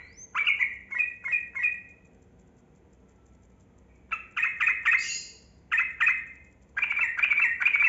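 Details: Yellow-vented bulbul (trucukan kebo) giving rapid chattering song, a lure to make lazy caged birds call. Short bursts of three to four quick bright notes separated by silent gaps of one to two seconds.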